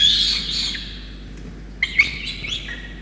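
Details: Peregrine falcon chick at a nest in Orange, New South Wales, Australia, on 5 November 2021, fed a soaked starling by its rain-soaked parents. Harsh, wheezy screeches open the clip, then short sharp squeals return after a pause.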